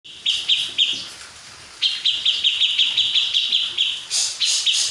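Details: Grey-cheeked bulbul, a local bird from Purworejo, giving bright, quick chirping notes in short clustered runs: a brief burst, a pause, then a longer even string, ending with harsher, higher notes.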